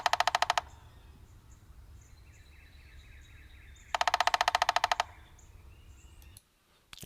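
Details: Downy woodpecker drumming, a nonvocal form of communication, slower than the hairy woodpecker's: two bursts of sharp, even taps, each lasting about a second, separated by a quiet pause with faint background chirps.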